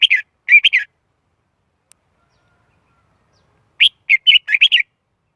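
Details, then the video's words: Red-whiskered bulbul lure song for trapping wild birds, noise-free: two bursts of quick warbled, chirpy notes separated by about three seconds of silence. "Tiếng chim chào mào mồi dùng đi bấy cực sát bổi"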